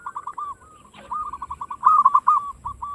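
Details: Zebra dove, local type, singing as a lure for other doves: steady series of short, slurred coos, a brief rough note near the middle, then brighter looping notes and soft low rumble underneath.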